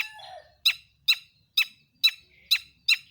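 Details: Lure song of a long-tailed shrike meant to set other shrikes singing: a brief low warble, then six loud harsh notes at an even, quick pace.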